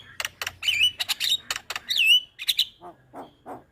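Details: Javan myna song for training young birds: harsh rasping notes and ringing whistled slurs, then a few softer, lower nasal chuckles at the end.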